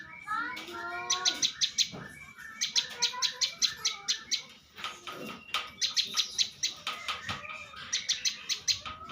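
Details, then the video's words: Champion contest bar-winged prinia singing long runs of sharp, clicking notes, fast and evenly spaced, in bursts of two to three seconds; lower warbled and whistled notes from other birds run underneath. "Suara Prenjak Lumut Juara"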